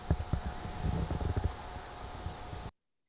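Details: A male Costa's hummingbird's tail feathers make a sound resembling his vocal song: one long, thin, very high whistle that rises slightly, holds, then slowly falls over two and a half seconds, over low hum; Costa's hummingbird.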